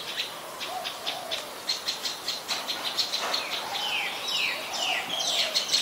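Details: Adult Common Tailorbird, a common resident, in Ubon Ratchathani, Thailand, 12 February 2023: rapid, sharp high notes repeated about twice a second, mixed with falling whistled sweeps and other chirps.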